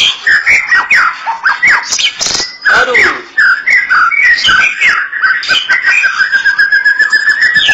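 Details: Close White-rumped shama song: a busy run of varied whistles and chips, then a long, steady, rapid trill of repeated notes.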